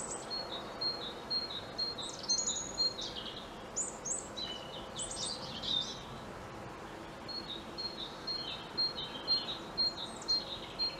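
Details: European robin singing from a treetop perch: thin, high, whistled phrases with quick trills and sliding notes, broken by short pauses, over a steady background hiss.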